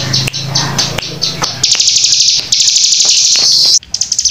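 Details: Bar-winged prinia in tight rapid 'nembak' song: brief high chips at first, then long continuous buzzy high trills running together, broken by a sudden clack near the end, over a faint low hum.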